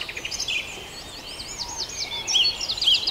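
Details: Brief stretch of the Farndale dawn chorus: warbling chirps and thin trills from several birds overlapping, with louder notes near the end.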